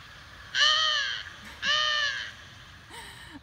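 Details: Eurasian Collared-Dove in Utah giving two harsh, nasal, drawn-out calls about a second apart, then a shorter third. This call is given when startled or when flying in to land on a branch; not pleasant, but very distinctive.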